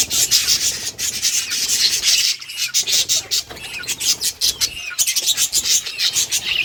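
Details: A colony of colourful pet budgies playing, with dense, overlapping high chattering and squawky chirps that continue almost without pause, rising and falling in loudness.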